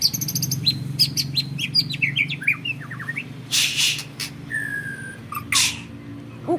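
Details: White-rumped shama, a caged bird of a champion line, delivering a varied jumble of high chirps and downslurred whistles, broken by harsh noisy bursts and a few long thin whistles near the end.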